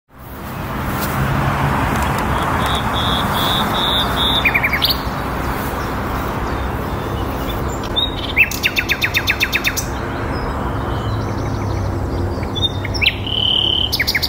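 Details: In spring near Theale, Reading, England, a nightingale (labelled Luscinia luscinia) sings clear high whistles and a rapid run of repeated notes over a steady roar of traffic.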